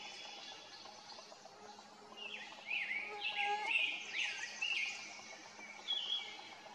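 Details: An Acadian flycatcher gives several sharp, high, slurred notes in quick succession over soft woodland hiss, recorded on 13 May 2023 at Waterloo State Recreation Area, List Road, Jackson County, Michigan.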